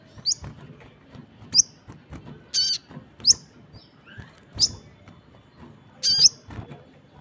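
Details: Crested jay (sogon) in full voice with other birds answering: sharp, high, downward-flicking chirps roughly every second, mixed with two longer buzzy rasping bursts, over faint low background noise.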